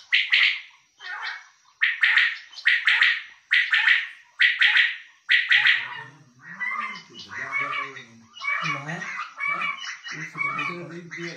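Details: Male common quail, a kept bulara, giving loud triple-pulsed calls about once a second for several seconds. Afterwards, lower rough sounds and murmuring voices mix with softer calls.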